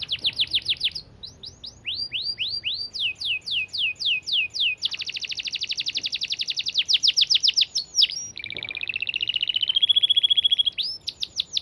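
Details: Long, clear canary song in the fast 'speed rapat' style: swept whistled notes, a dense buzzing rattle, then a smooth rolling trill that climbs and levels off before swept notes resume.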